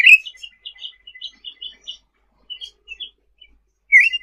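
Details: Sooty-headed bulbul in lively song for tutoring other songbirds: a sharp opening note, then a run of soft, evenly spaced chirps, scattered twitters, and a final louder chirp.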